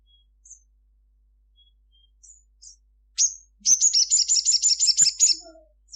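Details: Crimson sunbird in vigorous midday song: scattered thin high chips build to a loud chirp, then a rapid sequence of about nine sharp, buzzy high notes in a rattling run.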